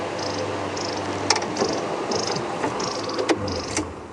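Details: Long-billed Crombec alarm calling on a Sabi Sand-area safari drive on the afternoon of Feb 27, 2016, near relaxed impala, source unseen (possibly a snake): dry, buzzy high-pitched bursts about twice a second over hiss and a few sharp knocks.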